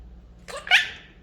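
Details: Quaker parrot (monk parakeet) speaking, a single brief, harsh, two-part utterance of under a second, rasping and bright, rising to a louder second syllable before fading, in an otherwise quiet indoor setting.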